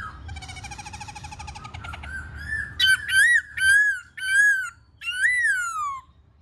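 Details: Black-throated laughingthrush in song and display: a rattling, buzzy trill leads into loud, rich, arched whistled phrases, each about half a second long, separated by short pauses.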